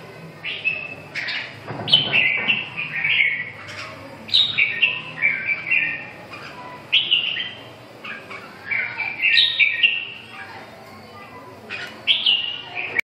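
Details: Red-whiskered bulbul delivering a run of lively, whistled phrases, each a quick slurred twist of notes. Phrases come in clusters separated by short gaps, with a steady faint background hum.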